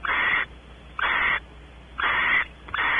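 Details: Barn owls, Audubon Starr Ranch, California; the female anticipates mating while the male explores the nest cavity. Rough, noisy screeching hisses of about half a second, about one per second, over a quiet electrical hum.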